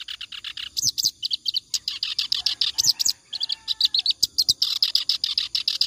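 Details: Clamorous reed warbler singing continuously, kept as a tutor recording for training other songbirds; harsh chattering notes repeat rapidly, about five a second, with a few thin whistles woven between.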